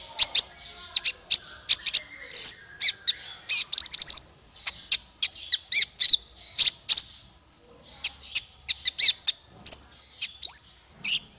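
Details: Male kolibri ninja sunbird singing to train songbirds: busy, continuous series of high, sharp chirps and twittering phrases with brief gaps, little background noise.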